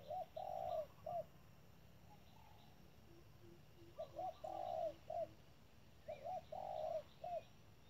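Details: Trap decoy spotted dove repeating its phrase three times, each a quick pair of short coos around a long mellow coo; between phrases a run of soft, low, evenly spaced notes.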